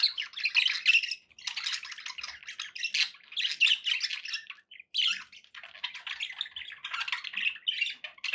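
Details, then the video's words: Budgerigars kept indoors keep up loud, dense chatter of grating squawks and warbles, with only a couple of brief breaks. "budgie sounds"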